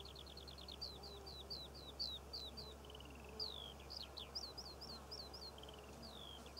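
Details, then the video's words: Over the poppy fields of Cornwall in June, a skylark pours out a high, rambling song of quick chirps, short trills and drawn-out downslurred whistles, steady low hum behind. "Skylark Bird Song and Nature Sounds - Birds Singing Over The Poppy Fields of Cornwall"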